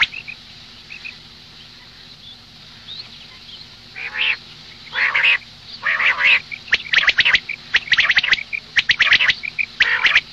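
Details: Common quail hen, a morning recording: about four quiet seconds with faint chips, then loud, grating, buzzy squawks that give way to a dense, rapid series of sharp clicks.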